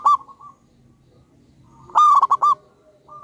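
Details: Local wild-type zebra dove, a loud and frequent singer, gives a short coo, then a full phrase of a long resonant note with three quick choppy beats, and a final soft coo at the end.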